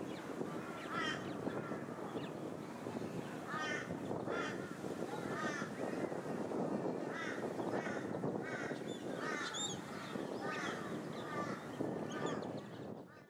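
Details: On the Sunshine Coast, Queensland, in August 2023, plumed whistling-ducks call continuously, with repeated quavering whistles from several birds overlapping above a loud, broad hiss.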